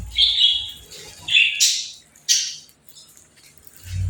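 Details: Playful birds chirping: a few short, high, bright chirps and sharp rising squeaks in quick bursts over about two seconds, then near silence with a faint low rumble at the end.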